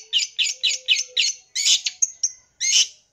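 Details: Long-tailed shrike full-isian song, played to lure and excite young birds. Five quick, harsh, buzzy notes are followed by longer scratchy bursts, a thin whistle and a final rasping note.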